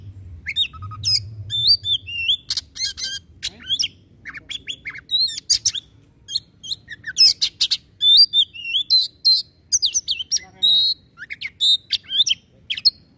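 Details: Kacer (Oriental magpie-robin) singing 'tembakan': a long, busy stream of chips, twisting whistles and coarse rasping notes. The phrases grow denser and louder toward the middle of the song.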